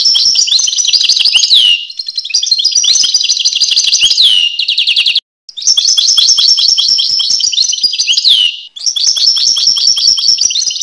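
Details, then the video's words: Continuous European goldfinch (Carduelis carduelis) song: long bursts of quick liquid twittering and high trills, each phrase ending in a falling slurred note, separated by short silences. "Goldfinch (Carduelis Carduelis) Songs"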